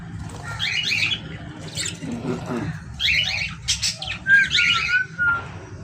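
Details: Several grating parrot squawks in separate clusters across six seconds, some ending in a thin steady whistled tone, over a constant low background hum.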